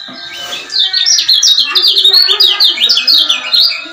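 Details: Lemon-bellied white-eye male from Lombok giving its 'ciak ciak' call as a lure to excite other males. A fast stream of sharp, high, sliding chirps runs almost without pause after a soft start.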